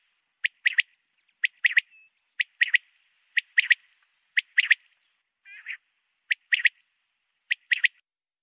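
Common quail giving its liquid three-note 'wet-my-lips' phrase, a short note then two quick ones, repeated about once a second, with one softer quavering note between.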